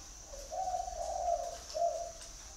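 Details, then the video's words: Single cooing phrase from a spotted dove: a brief lead-in note, a long rolling coo, then a short final coo, with a thin high whine behind. "chim cu gáy gọi"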